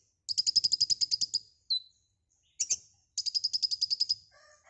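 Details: White-rumped shama, known as konin, in gacor song full of isian: two rapid trills of bright, high, repeated notes framing a short whistle and a chip, with faint lower notes at the end.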